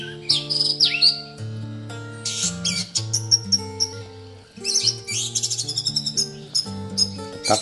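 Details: Caged orange-headed thrush at a house porch, responding to other caged thrushes placed nearby to provoke it, sings a rich, varied run of high chirps, rapid trills and sweeping whistles in quick bursts, over steady background music; Orange-headed thrush.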